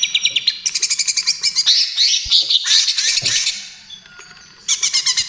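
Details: Cucak ijo trotol, the greater green leafbird, singing a lure and therapy song: fast pulsed rattles repeating about three times a second, then sweeping whistled and chattering phrases, with faint low thumps.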